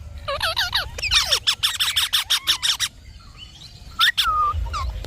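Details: Indian ringneck parakeet kept as a pet, giving a loud burst of rapid repeated harsh squawks with whistled, bending notes, then a pause and a few more sharp chirps and a short whistle.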